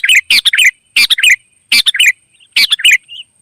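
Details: Wild sooty-headed bulbul singing loud and lively while answering: close, rich bubbly phrases of three or four chuckling notes repeated roughly every 0.8 seconds, ending with a soft rising whistle.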